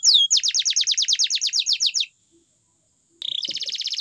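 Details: Canary song: a steady series of clear descending whistled notes about seven per second, a pause, then a short note and a fast buzzy trill.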